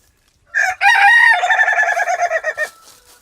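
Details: Rooster giving a funny, unusual crow: a short opening note, then a long harmonic call that breaks into a fast stuttering run of about ten pulses, like laughter, ending after roughly two seconds.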